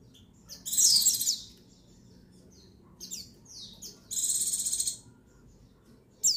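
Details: High, thin twittering bursts from a female white-eye (Buxton's), a call meant to stimulate males to sing, short rapid phrases repeated every second or two over a quiet low hum.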